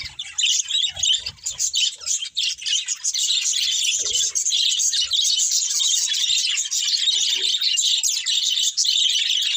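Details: Flock of pet budgerigars singing as they feed, an even wall of high twittering and buzzy chatter that grows steadier and louder after the first few seconds, with a few soft low knocks early on.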